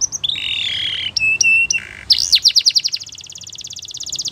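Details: Belgian canary training song: warbling whistles and flat tones, then rapid sweeping notes leading into a long, even, fading trill, with light background noise.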